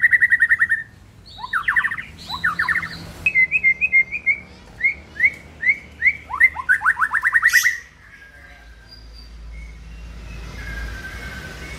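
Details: White-rumped shama song used in the morning to lure another shama and set it singing: bursts of harsh, rapid notes, then a run of short upslurred chirps repeated over several seconds, ending abruptly before quiet background hiss.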